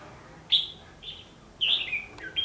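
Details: Red-whiskered bulbul fighting song used as a lure in trapping, 14 December 2015: loud clear whistled notes, a lone note then a rich falling warbled phrase and a final sharp note.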